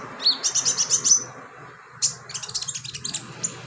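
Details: Sunbird singing a filler song for training birds: a fast run of high, thin chirps, then a sharp burst and a second quicker chattering series of bright twittering notes over a low steady hum.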